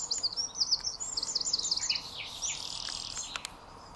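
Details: Recently fledged great tit chicks calling insistently to their parents for food: loud, very high, sharp chirps in rapid irregular series, falling into a buzzy high trill, with a few clicks.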